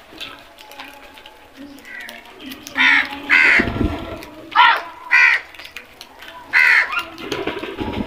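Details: Crows calling: several harsh, hoarse caws in short bursts from about three seconds on, spaced unevenly, with quieter background rustle and murmur beneath.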